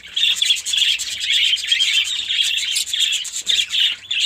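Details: Captive Fischer's lovebirds kept as a mini colony in Pakistan give high, rapid chirps and squeaky twitters in an unbroken stream, with short bursts repeating about every half second.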